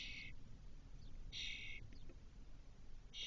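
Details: Spotless starling nestlings in a nest box in a Doñana cork oak, 2023, after the eldest fledgling returned four hours after its first exit. Three loud, dense rasping bursts, about 1.3 seconds apart, with faint slurred notes between.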